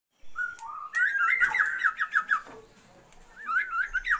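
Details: Female Oriental magpie-robin calling to a male to raise his breeding drive: clear whistled notes, then a quick run of about eight short, even notes, and after a pause a few looping whistles.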